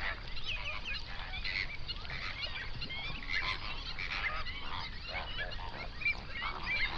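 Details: Hundreds of flamingos on a lake in an Overberg national park, South Africa, near sunrise; a busy mix of nasal honks and gabbling calls overlaps without pause.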